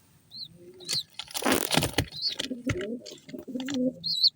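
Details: Young pigeon chicks starting to make sounds, giving brief high arched squeaks spaced apart, with handling noise and low grumbling sounds in between.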